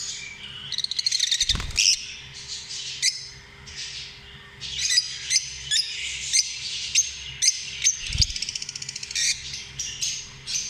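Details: Lovebirds chattering together: rapid shrill squeaks and short squawks in uneven bursts, several overlapping, with brief knocks or thumps twice in the background.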